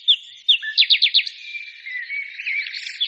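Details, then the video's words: Birds singing: a few sharp separate chirps, then a quick run of five descending notes, followed by softer warbling and a thin sustained whistle. "birds singing"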